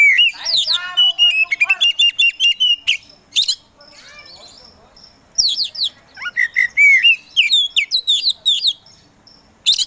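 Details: Oriental magpie-robin of the kacer poci type singing vigorously to provoke other birds: a long wavering whistle with fast trills, then scratchy notes and rapid chip series after a brief lull.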